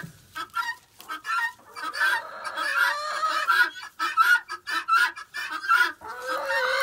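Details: Homestead chickens making lots of noise at feeding time while the pen is cleaned; quick repeated clucks mixed with longer drawn calls, clattering and scratching sounds between them.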